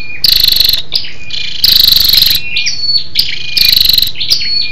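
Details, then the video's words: Female scarlet-backed flowerpecker calling to stir up males: rapid pulsed buzzes alternate with sharp, high, thin tinkling notes and short sliding whistles, in a steady repeating pattern. "SÂU ĐẦU ĐỎ MÁI RO KÍCH TRỐNG- Giọng MỒI HAY"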